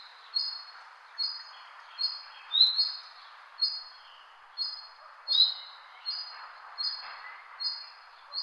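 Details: A bird giving short, bright, high chirps, each a quick slightly downward-slurred note, repeated about every 0.7 seconds in a steady series of around eleven, over a faint soft background hiss.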